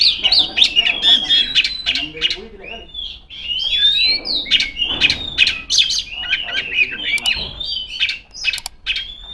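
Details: Female Oriental magpie-robin in full song, calling rivals. The song is a rapid, continuous run of high whistles, sharp chips and trills, delivered about four notes a second. Faint low background noise is present.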